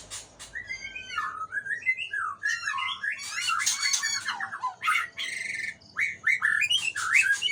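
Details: White-rumped shama, an Aceh-type bird, singing in a calm, playful mood: a long varied run of rich whistled phrases, slurred rising and falling notes mixed with sharp clicks and harsh squawky bursts, continuous throughout.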